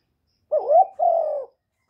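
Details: Caged spotted dove decoy cooing: two smooth low notes, the first rising then dipping, the second long and gently falling, in a quiet setting.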